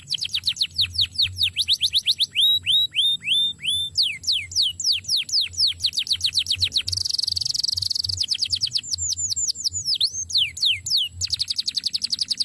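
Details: Canary singing for training: rapid series of descending whistled sweeps and hooked chirps, a short noisy buzzy passage, then more fast sweeps and a dense trill at the close.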